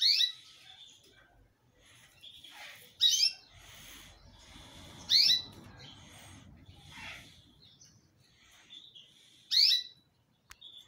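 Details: Yellow Belgian canary, a pet, singing: loud sharp sweeping notes repeating every two to three seconds over a softer continuous high twittering, with a faint low rumble in the middle.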